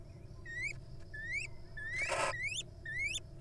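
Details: Wild little owl at the nest while the female is laying eggs. Four rising, whistled notes sound about every half second, one of them masked by a short burst of noise, over a low background hum.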